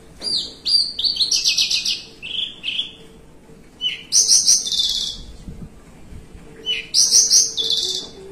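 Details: Branjangan, the Javan bushlark, kept caged and sitting relaxed while singing its long-phrased 'melung panjang' style: repeated bursts of high, fast rattling trills mixed with sliding whistles, about three phrases separated by brief gaps.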